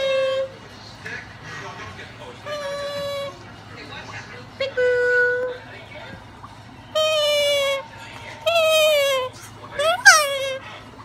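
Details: A rescued umbrella cockatoo gives loud, nasal, wailing calls in bursts of about a second, the last ones sliding sharply downward; a person speaks and a low hum runs underneath.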